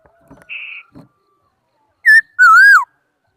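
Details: A laughingthrush sings after faint clicks and a soft steady tone: a short loud whistle, then a long slurred whistle that rises and falls.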